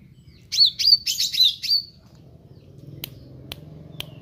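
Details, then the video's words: Meranti bird singing actively: a brief, loud phrase of jumbled high chips and whistled slurs lasting about a second, followed by quiet with a few sharp clicks. "Burung Meranti Gacor"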